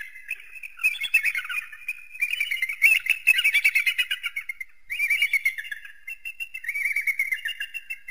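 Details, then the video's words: An eagle gives bursts of rapid, high, chattering notes in runs of a second or two with brief pauses between; no other sounds stand out. "SUARA MASTER BURUNG ELANG || eagle and its distinctive voice"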